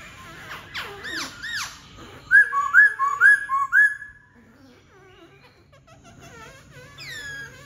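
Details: Singing black-throated laughingthrush: a quick run of soft arched notes, then four ringing whistled phrases repeated at a steady pace, trailing into quiet chatter and a final high, descending whistle.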